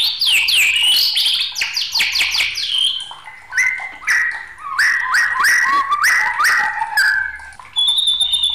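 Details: Rapid chattering flourishes from an agitated white-rumped shama give way to a sequence of rising whistled notes in a steady, stepping rhythm, ending on a high, thin, level whistle.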